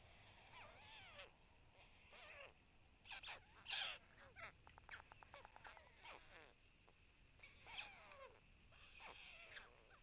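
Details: White stork chicks fed at the nest in Tukums municipality, 31 May, one trying to swallow an adder; bursts of harsh down-slurred calls alternate with quick rattling series, separated by short quiet gaps, against a faint steady hum.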